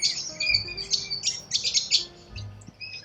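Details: Wild corella cockatoos in Australia giving harsh, raspy screeches in quick overlapping bursts, several birds calling at once, over a faint low hum.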